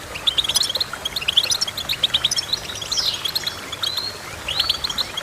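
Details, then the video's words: Goldfinch song of bright twittering chirps in fast clusters, broken by a buzzy descending slur midway and a rising-then-falling whistled note toward the end. "Goldfinch Chirping"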